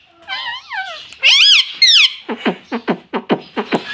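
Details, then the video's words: Pet rose-ringed parakeet talking, said to utter "mummy papa": a wavering two-part phrase and two shrill syllables, then a rapid series of about eight dry clicking pulses. "mummy papa bolne wala tota"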